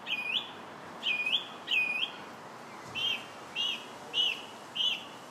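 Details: Song thrush singing on July 8th: clear, high whistled phrases, one note shape repeated three times and then a new one repeated four times, over a steady soft hiss.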